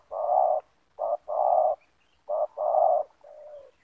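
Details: Spotted doves of the banggo type, a trapping decoy and a loud wild bird meeting in a yard; hoarse blocky coos in pairs, short then long, repeated, ending with a softer falling note.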